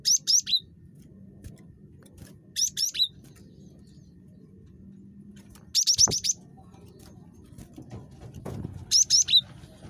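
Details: Cinereous tit (gelatik batu), described as super chatty and meant to provoke another bird into calling: short bursts of two or three high, thin whistled notes repeated about every three seconds over a constant low background hum.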